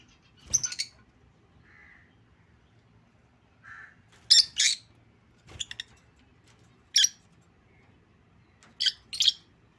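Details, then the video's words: A lutino lovebird gives sharp, high, shrill chirps and squawks in short bursts every second or two, with a few softer mid-pitched notes between them. "Love birds sounds | lovebirds singing"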